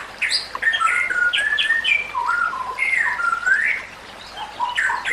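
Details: White-rumped shama singing a training song for other shamas: clear whistled slurs and descending notes in loose phrases, fading briefly near the end before a fresh burst.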